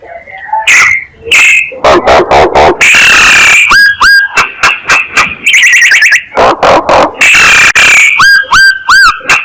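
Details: Myna calling as a lure: a long varied run of harsh rasps, dry clicks, trilled chatter and pairs of upslurred whistles, loud and near-continuous.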